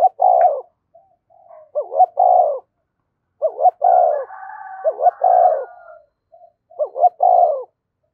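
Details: Provoking and summoning coos from a field-type decoy spotted dove: repeated phrases of a double hooked note and a low rounded coo roughly every one and a half seconds, joined midway by a fainter, higher overlapping voice.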